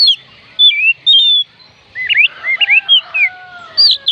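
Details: Oriental magpie-robin singing to rouse reluctant songbirds: clear whistled slurs, some long and falling, then a busier stretch of looping, up-and-down notes.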